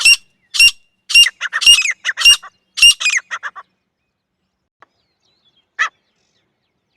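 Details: Grey francolin (teetar), female, in jungle: a loud quick series of harsh notes fading and trailing off, followed by silence and two isolated single notes.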